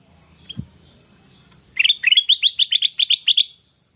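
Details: Sooty-headed bulbul singing an energetic song used for luring and tutoring other birds: a quick run of about ten bright, rising whistled notes repeated several times a second, after a soft faint chirp.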